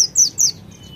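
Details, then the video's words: White-eye singing a konin-style fill-in: three quick high notes, each slurring downward, followed by a faint thin whistle. "PLECI NEMBAK ISIAN KONIN GACOR"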